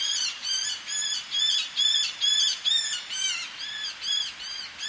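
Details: Eleonora's falcon male calling close by, with females calling from ledges, sea audible; a rapid series of harsh, nasal, arched squawks repeated about twice per second, several voices overlapping.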